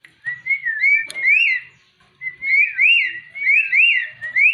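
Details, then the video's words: Jalak uret (starling) singing strongly, a sequence of clear whistled phrases that rise and fall, sweeping upward in repeated loops, with a brief sharp click near the start and short pauses between phrases. "Kicauannya Sungguh Menggoda // Jalak Uret Gacor"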